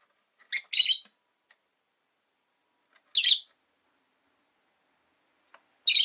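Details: Caged rosy-faced lovebirds, five pets kept at a window: a quick double chirp, then single raspy high chirps roughly every two to three seconds, with faint clicks between.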